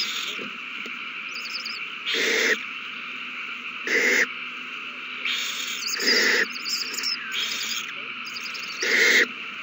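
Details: Owls in a feeding frenzy at the nest on 21 March 2020, after a mouse is found and passed along; harsh, breathy screeching hisses of about half a second, repeated every two seconds or so, with soft twittering between.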